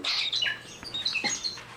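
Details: A tame, elderly male Bourke's parakeet kept as a pet indoors, in distress after a stroke, gives a run of short, high chirps and thin whistled notes, some sliding downward, with brief faint handling noise.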